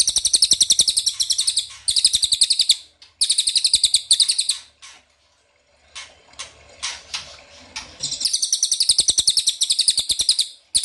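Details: Ashy tailorbird calls used as bait for answering birds: several bursts of fast, high chattering trills separated by pauses, a quieter patch of scattered notes in the middle, then a long rapid trill.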